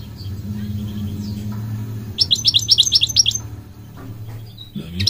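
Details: Migratory goldfinch singing: faint scattered high notes, then about a second of rapid, ringing, tinkling twitters repeated in a quick run, followed by a few thin calls, over a steady low background hum.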